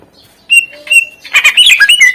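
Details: Greater green leafbird in lively, full-repertoire song, played to prompt lazy birds to sing. After half a second of quiet come two clear whistled notes, then a dense, rapid jumble of sharp chirps and slurred whistles.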